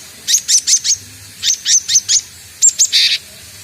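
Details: Young cinereous tit practising its call repeats a ringing high note in three bursts of about four notes each, roughly four notes per second. A final burst ends in a harsher, buzzier sound.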